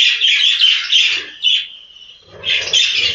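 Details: In a breeding room, budgerigars give bright, warbling chirps, then a short quieter gap before another burst of chattering calls with a soft low rumble beneath.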